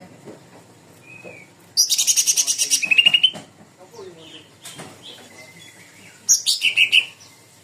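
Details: Sooty-headed bulbul song used as a lure to trigger other birds into singing: a fast burst of high, ringing repeated notes ending in a lower whistle, a quiet gap with faint sounds, then a shorter matching burst.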